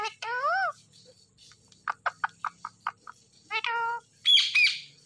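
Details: Talking green Indian ringneck parakeet: an arching word-like syllable, a row of crisp clicks, a second spoken-sounding phrase, then a shrill high squeak at the end.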